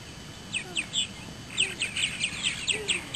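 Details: Purple martins at a small nest-building colony in south-eastern Indiana, mid-morning in early May, give quick, gurgling chirps and rich, throaty notes in a busy, irregular chatter against a low rumble.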